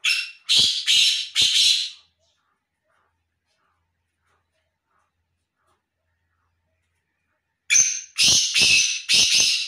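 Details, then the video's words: Black francolin, in a calling contest. Three loud, harsh, grating notes in quick succession, then about five seconds of silence, then a burst of four similar rasping notes. "Dasi kala or sendhi teter ki Awaz"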